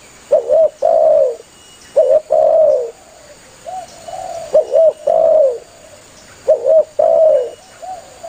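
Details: Spotted dove calling for its companions, recorded for luring doves when hunting: repeated low coo phrases, each a quick doubled note and then a drawn-out, slightly wavering coo, with softer coos between. Steady background hiss throughout.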